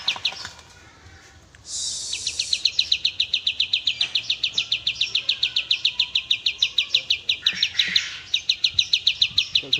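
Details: Oriental white-eye singing in tembak style for a cage-bird training master: long run of crisp high chirps, roughly three to four a second, broken by two short hissing bursts.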